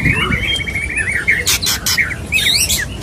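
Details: Male white-rumped shama courting a female, giving a steady thin whistled trill broken by loud harsh rasping bursts, then quick chattering notes.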